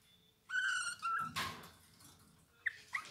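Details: Eurasian bullfinch voice: one clear, steady piping whistle with rich overtones, then a short rough burst of noise and two brief rising notes.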